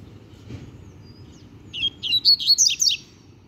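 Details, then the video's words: Double-collared seedeater, a young novice with its song now complete, sings a lively phrase of rapid, high, chattering notes rising in intensity over about a second, in a quiet setting. "Papacapim Novato Cantando Bitolado!!! Encarte 100% CONCLUÍDO!!!"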